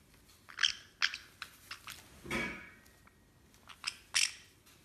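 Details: White-bellied caique (Pionites leucogaster), call.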